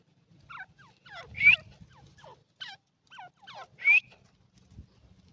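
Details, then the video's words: Iranian partridge calling with clusters of quick down-slurred chirps and two louder rising whistled notes about two and a half seconds apart, over a faint low hum. "irani teetar ki awaz❤❤ irani teetar ki voice"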